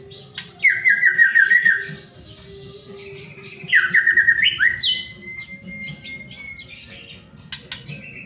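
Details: Shama song to get other shamas singing: two bursts of fast trilled descending phrases each ending in rising whistles, then a long thin steady whistle, with busy background hum and scattered clicks.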